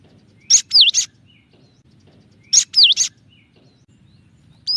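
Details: Gelatik batu, the cinereous tit, repeating a three-note phrase with a swooping, dipping middle whistle between two sharp chirps, given twice about two seconds apart. A final note is cut off at the end. This is a clear-voiced 'tembakan' variation.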